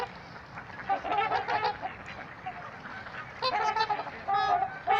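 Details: Several trumpeter swans honking at Gallup Park, Ann Arbor, Michigan; quieter scattered honks build into bursts of overlapping nasal calls around one and a half seconds and again near the end.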